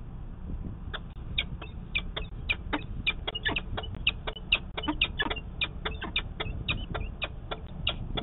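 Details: Peregrine falcon at a nest ledge in Manchester, New Hampshire, on 24 March 2020, as the female lays her first egg and the male puffs up on the ledge; rapid, repeated harsh clipped notes in a steady series over low rumbling background noise.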